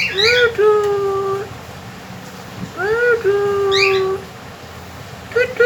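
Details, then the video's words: Talking and singing pet cockatiel repeating a two-part whistle twice: a short rising note followed by a long level tone, with a third phrase starting at the end; indoor setting. "Super Cocktail ! Talking and singing companion 2020 Talking birds."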